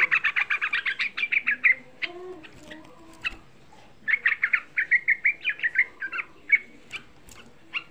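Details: Provocation song of a young yellow-vented bulbul: a fast, evenly paced series of bright, clipped whistles, a pause with some lower notes, then another rapid run, over light background noise.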